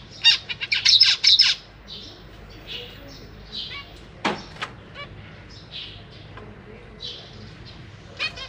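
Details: Captive zebra finch nestlings being fed by their parents, with juveniles nearby; a rapid burst of loud harmonic chirps opens, then scattered nasal calls and a sharp knock follow.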